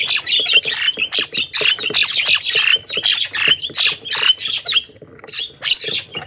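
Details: Javan myna lure recording for attracting a flock of wild mynas: continuous rapid harsh squawking and scratchy chatter, several notes per second, easing briefly near the fifth second before resuming.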